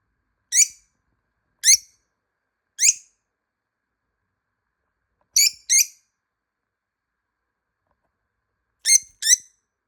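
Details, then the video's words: Pet lovebird calling from a hiding place while being searched for: seven short, shrill chirps, some single and some in quick pairs, separated by pauses of one to three seconds. Otherwise quiet. "모란앵무새 소리"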